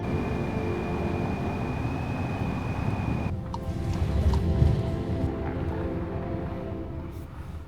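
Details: A steady high tone over low rumbling noise stops abruptly, followed by soft sustained music-like tones and rumble, with no animal sounds.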